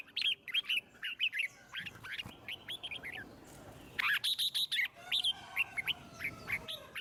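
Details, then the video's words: Red-whiskered bulbul song played to stimulate other birds to sing: bursts of quick whistled, warbling notes around mid-high pitch, loud phrases repeated with short gaps, a sharper cluster near the fourth second. "Chim Chào Mào Hót Hay - Giọng Rừng Cực Đỉnh | Kích Thích Chim Hót Căng"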